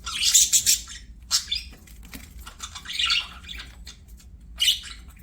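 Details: Budgies at play produce several short outbursts of buzzy, scratchy chatter and chirps, with quieter gaps and soft background rustling between them.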